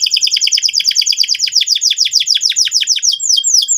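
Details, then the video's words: Constantly singing canary, used to spur another bird into song. Rapid double-toned notes slur downward and repeat steadily, slowing near the end into a few longer, clearer falling whistles. "PANCINGAN BURUNG KENARI GACOR SEKETIKA BIKIN PAUD NGEROL NGK MAU DIAM"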